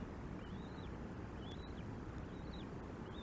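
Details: At a nest in Decorah, Iowa, USA, a bald eagle gives four short, high, arched whistles, rising then falling, spaced roughly every second, against constant deep wind-like rumbling.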